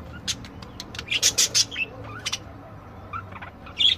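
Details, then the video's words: Several budgerigars of different kinds singing together: bursts of scratchy, clicking chirps mixed with short rising and falling whistles, mostly high-pitched, with louder broadband squawks in the middle and at the end. "Chant perruches"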